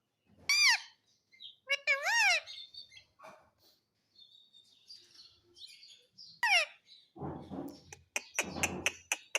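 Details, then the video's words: Pet parrot voicing wavering, bouncing harmonic calls that sound speech-like, followed by scattered chatter and a run of rough, noisy squawks toward the end. "Talking Parrot"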